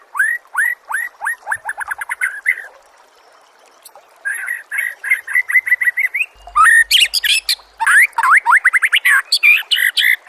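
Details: White-rumped shama song from a training recording meant for songbirds to learn from. Rapid series of rising whistled notes, then a pause, then dense varied phrases mixing sharp high notes and rising slurs, loud and continuous.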